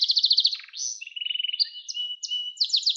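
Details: Young canaries' training recording of a canary singing: a rapid trill, low buzzy notes, a run of quick chirps, then varied whistles and short downslurred phrases.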